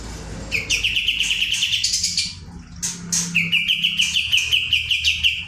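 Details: Kapas tembak, or olive-winged bulbul, bursting into 'nembak' song: two extended rattling trills of quick repeated notes separated by a brief pause, with high chirps overhead and low hum beneath.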